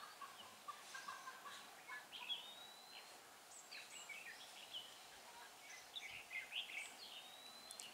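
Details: Red-whiskered bulbul, a mated pair targeted in bird trapping with a decoy, 6 December 2016; short scattered chirps and whistled notes, some with quick rising slides, spread through the clip over steady background hiss.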